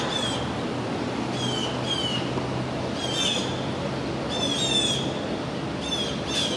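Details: Pair of blue jays mobbing a red-tailed hawk fledgling, Tompkins Square Park, Manhattan, June 22, 2022; rough, buzzy screeches delivered in clusters of two to three, separated by short pauses, over low traffic hum.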